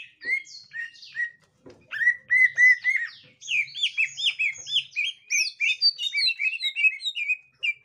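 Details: Green leafbird, gotri type, encountering a young wild green leafbird, calling in lively repeated whistled chirps and slurred notes, speeding into a dense twittering chatter.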